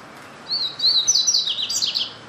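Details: Papa-capim, the double-collared seedeater, gives a thin, high warbling song: a run of rapid whistled notes ending in a brighter trilled flourish, about one and a half seconds, set against soft hiss.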